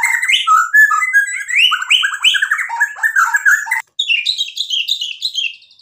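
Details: Lively white-rumped shama song used to provoke other birds: continuous rising whistles, chatters and trilled phrases shifting quickly in pitch, a split-second break, then higher twittering notes.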